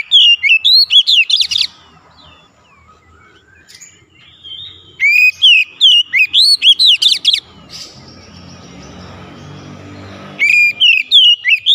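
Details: Magpie-robin 'gacor' song meant to coax a stuck bird into singing: rapid runs of loud whistled, swooping notes in three bouts, with a noisy rumbling stretch of background between them.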